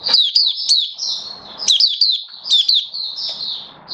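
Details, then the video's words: Oriental white-eye kept as a hobby bird in build-up form, recorded 19 September 2022, repeats quick groups of high, sliding chirps followed by softer warbled notes, about three groups in four seconds. "Mata Puteh V2 Raja Buka Sing Build Up Form"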